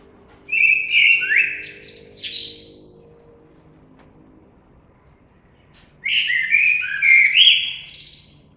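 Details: Blackbird song with two separate phrases, each a rich, liquid warble sliding up and down and finishing in thin high squeaks; soft low hum between them.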